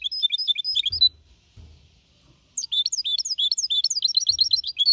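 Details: Goldfinch hybrid, a young bird aged four and a half months, singing clean Malaga-copy style song in 2021 to motivate other birds: rapid high twittering phrases, a pause of about a second and a half, then a dense run of chattering notes.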